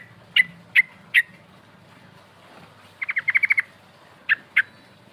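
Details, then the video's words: Sooty-headed bulbul song used as a lure to call rivals: three sharp separate chips, then a quick run of about eight rapid notes, then two more sharp chips. "Pancingan trucuk bahan suara ngerol nembak memanggil lawan"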